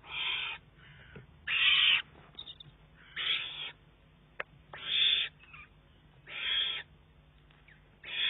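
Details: Fledgling Eurasian eagle-owl demanding food from its mother, June 2011; six loud, harsh, rasping hisses in a steady series about every 1.5 seconds, with faint clicks in the gaps.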